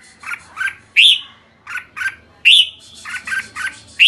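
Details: Red-whiskered bulbul repeating a pattern of two or three buzzy chirps followed by a loud, clear, upward-sweeping whistle, about every one and a half seconds.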